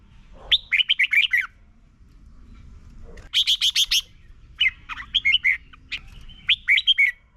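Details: Red-whiskered bulbul, Thailand, its song played to help birds learn to sing firmly; bright bubbly phrases of descending warbled notes alternate with a rapid buzzy five-note burst, over quiet low background noise.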